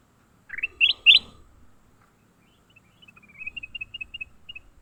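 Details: Caught leafbird in a fight gives three loud harsh rising chirps, then a long quick series of short, thin, high ticking notes at an even pitch.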